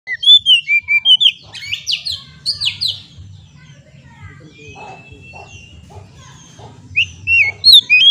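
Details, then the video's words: Oriental magpie-robin song used as a lure to get stressed kept birds singing: bright whistled notes and fast buzzy sweeps high in pitch, broken by a quiet middle stretch with a long thin rising whistle, over a low background hum. "Terapi kacer stres langsung gacor dengan pancingan suara burung kacer ini"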